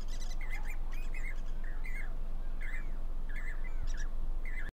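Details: At Damdama lake, India, four Jacobin cuckoos sitting on a wire before the rains exchange loud ringing calls, each a slurred clear note with sharp higher squeaky elements, spaced roughly every half second amid steady low noise.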